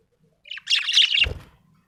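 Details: Happy budgerigar chirping in one continuous, buzzy, warbling chatter of high notes lasting most of a second, ending in a low thud.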